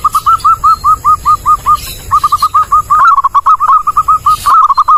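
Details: Zebra dove song, clear and loud, used for luring birds. A long, evenly spaced series of hooked coos gives way to faster, denser notes, accompanied by light clicking and background hiss.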